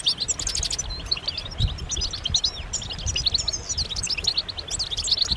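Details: Many European goldfinches chatter together with mating calls used to stimulate males to sing. The bright, liquid twitters and short metallic chips run without pause, and a faint low background hum is present throughout.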